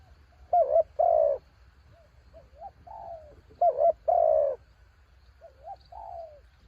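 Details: Decoy spotted dove calls in high wind with two loud coo phrases, each a wobbly double note and a long descending purr. Softer coos from a second dove fill the gaps. Low rumble below.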